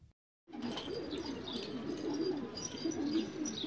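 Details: Rare Australian pigeons, with a low, continuous burbling coo that runs steadily after a short gap of silence at the start. Faint higher chirps sit above it.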